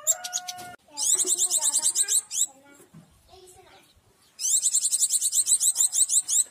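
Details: A local Oriental white-eye with a fierce-sounding call, used to lure wild white-eyes in, gives two bursts of rapid, very high, thin chattering notes, about two seconds each, with faint low voices in the pause.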